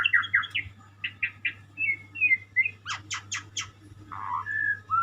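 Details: White-rumped shama song of repeated short whistled notes, a run of sharp broadband clicks, then a low burry note and a rising whistle, over a steady low hum.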